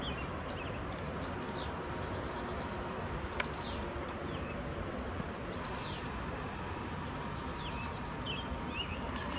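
Cedar waxwings give thin, very high lisping whistles, several birds calling scattered through the clip over a steady hiss of background noise.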